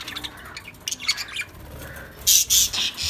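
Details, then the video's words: Lovebirds singing and chirping: soft, scattered chirps give way to loud, harsh, shrill squawks in short bursts near the end, with faint background noise. "Lovebirds Sound | Lovebirds singing | chirping Sound"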